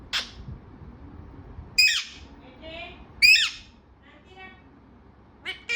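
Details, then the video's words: Talkative parrot alternating loud, harsh, ringing squawks with softer buzzy murmurs, roughly one or two utterances per second, ending on a brief high chirp. "बातुनी तोता"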